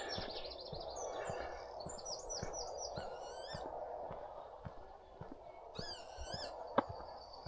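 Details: Lapwings flying over a quiet North Yorkshire country road on a calm, warm early morning give two bursts of high, wheezy, slurred calls over steady footsteps, a soft background hum and faint twittering of other small birds; wagtails nearby.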